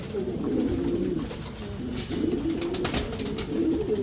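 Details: Cooing from Racing Homer pigeons kept in a breeding section: steady low, throaty phrases swelling and fading, repeated in bouts about every second and a half, with scattered knocking noises.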